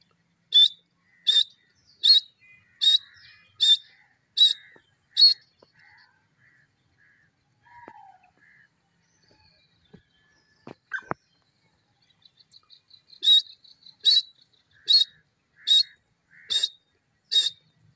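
A francolin calls in a series of harsh, grating notes, about one every three-quarters of a second.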